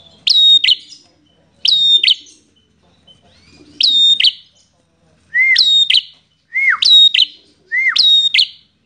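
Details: Aggressive fighting Bar-winged prinia singing energetically: six sharp, high whistled phrases, the later ones opened by a lower arched slur before the piercing upper notes, repeated roughly every second with short pauses.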